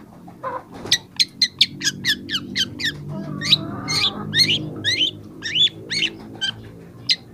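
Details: Song of a young long-tailed shrike for training other birds: a quick run of sharp ticking notes, then varied warbled and slurred phrases over a low background hum.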